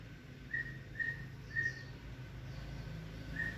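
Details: White-rumped shama pair being acquainted, the male intolerant of the female: four thin, clear whistled notes of even pitch, spaced roughly half a second apart, then a pause before the last, over a low hum.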